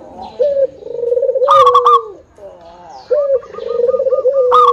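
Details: Zebra dove song from a vocal local bird, meant to lure other doves into singing. Two phrases each begin with a low purring coo and break into rapid, repeated, clipped higher notes.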